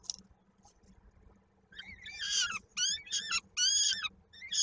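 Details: A quiet start, then peregrine falcon chicks in a Koszalin, Poland nest on 16 May 2022 break into harsh, harmonic screeching bursts, about four in two seconds, as the female feeds them and a chick's foot is stuck in a beak.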